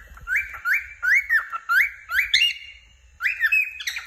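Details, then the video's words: A happy cockatiel chirps in a steady series, each note a quick upward-sweeping whistle with a bright buzzy edge, repeated roughly twice a second, with a short pause before a final pair. "a happy cocketeil chirping"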